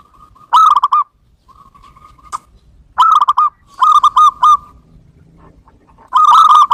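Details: Local zebra dove lure call for attracting birds: mid-pitched cooing phrases of rapid stuttered notes ending in a held tone, heard several times with quiet gaps between.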